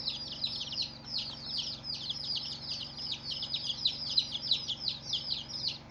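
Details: Several colourful chicks chirping: shrill peeps sliding downward, packed closely together, with a few brighter notes standing out in the second half.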